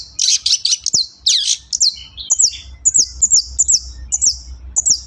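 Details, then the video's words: Long-tailed shrike singing energetically, used as a lure to encourage shrikes to sing. Harsh, scratchy high notes open the phrase, then a run of short, sharp downslurred notes repeated roughly every half second over a faint low hum. "SUARA BURUNG PENTET GACOR, AMPUH UNTUK PANCINGAN PENTET KURANG GREGET"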